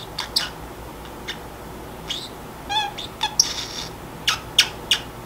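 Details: Drowsy pet Pacific parrotlet muttering to itself: sparse soft ticks, then a buzzy rattling trill near the middle followed by louder sharp chirps and bright whistled squeaks toward the end, faint room hum behind.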